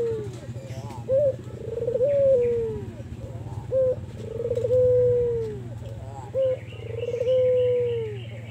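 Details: White albino Barbary dove cooing steadily, used as a lure for other doves: a short clipped note followed by a long, smooth, mellow coo that drops at the end, repeated three times about every 2.5 seconds, over a low hum and faint high chirping.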